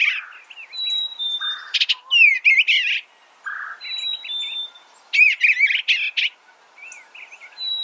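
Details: Eastern bluebird giving bright, varied warbled phrases with a thin high whistle, repeating a similar sequence about every three seconds; no other sounds intrude.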